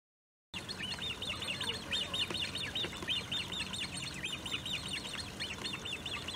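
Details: Great crested grebe with young at De Gouden Ham, Maasbommel, on 1 August 2018: fast series of thin, high peeping notes, each briefly rising and falling, run together in busy bursts over steady low background rumble.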